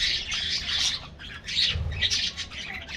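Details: Morning diet treat for an aviary colony of colorful budgies: loud, harsh squawks and grating chatter in two strong bursts, with many birds calling together.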